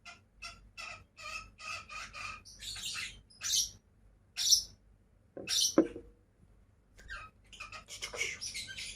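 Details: A pair of pet lovebirds: a quick run of evenly repeated short chirps, then louder shrill squawks and rasping chatter.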